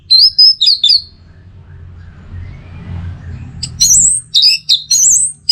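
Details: Masteran lure of an orange-headed thrush (anis merah) teler song: four high whistled notes, a pause of about three seconds with faint low rumble, then six quick sharp whistles, some rising steeply.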